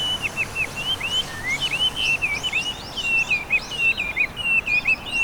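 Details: Introduced Chinese hwamei in Japan, singing in a riverside row of blossoming cherry trees in Hiratsuka during spring. A rich, fast stream of clear whistles and twisting slurs, rising and falling notes repeated in quick varied phrases.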